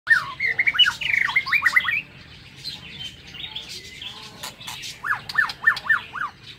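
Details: White-rumped shama singing in an aviary in the morning: short clear whistled notes slurring up and down in a quick run, a pause of quiet, then another rapid series of five downslurred whistles, with faint clicks behind.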